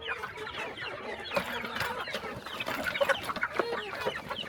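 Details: Flock of farm chickens being fed on a quiet countryside morning, giving a constant babble of short clucks and high chirping notes, with a few sharper louder calls standing out near the middle.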